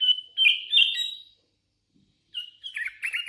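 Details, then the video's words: A hand-reared Sooty-headed bulbul gives a long bright whistled phrase that wavers slightly, falls silent for about a second, then resumes with a quicker jumble of chirps and whistles. "Suara ASLI kutilang LOLOHAN GACOR"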